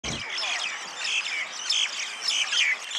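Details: Flock of common mynas in Tel Aviv, Israel, calling together: a dense, continuous chatter of harsh, whistled and squeaky notes overlapping throughout, with no pause.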